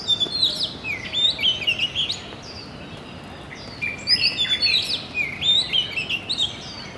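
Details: Oriental magpie-robin singing quick whistled notes and slurred sweeps in two bursts separated by a brief pause, phrases rich and varied, with a constant soft hiss behind.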